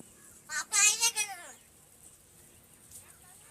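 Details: Talking crow mimicking human speech at Gargaon, Wada taluka, Palghar district: a harsh, voice-like phrase of about one second, rasping and rich in overtones, slurring downward at the end, followed by quiet with a faint hiss.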